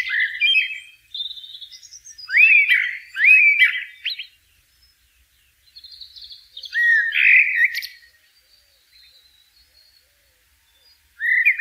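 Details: Blackbird phrases repeated roughly every few seconds: rising, fluty notes in quick pairs, with squeaky high ornaments, long silences between bursts.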